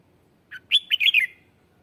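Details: Red-whiskered bulbul lure song used to call wild birds: a short phrase of rich warbled whistled notes, a single note then a rapid run of slurred rising and falling notes, in a quiet setting.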